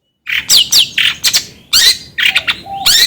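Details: Long-tailed shrike calling in a fast sequence of short, scratchy chirps and sharp rising and falling notes, grouped in quick bursts with brief gaps, ending with a thin level whistle under a harsh note.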